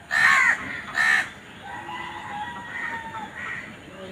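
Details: Crow, from a compilation of crows fighting for food, giving two loud, harsh, rasping caws in quick succession, followed by fainter drawn-out tonal calls over a steady hiss.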